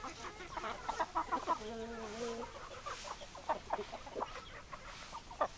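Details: Chickens in a flock, hens and roosters, with scattered soft clucks and one longer drawn, level moaning call lasting about a second, over continuous background hiss.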